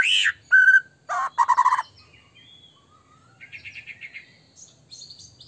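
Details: White-rumped shama singing vigorously, played to provoke other shamas: loud opening whistle and harsh chattering bursts, then quieter rising and falling whistles and soft trills fading toward the end.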